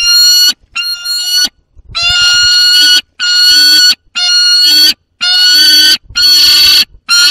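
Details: In the Barycz Valley, Poland, on 30 August 2022, a young peregrine falcon with prey calls near an adult: a long run of piercing, rasping wails, about seven in sequence, evenly spaced and very loud.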